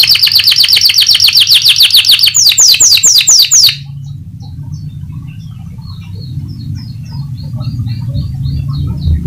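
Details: Canary (Serinus canaria) sings a fast, high rolling trill shifting into quick rising sweeps, stopping abruptly after four seconds, then faint chirps; song played to stimulate other canaries to keep singing.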